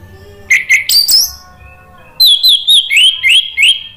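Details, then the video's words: Orange-headed thrush lure song for prompting a silent caged bird to sing: a few short loud chirps, a pause, then a run of rising whistled notes repeated quickly, with a faint low hum beneath. "PANCINGAN ANIS MERAH agar BUNYI jadi NYAUT GACOR NGEPLONG"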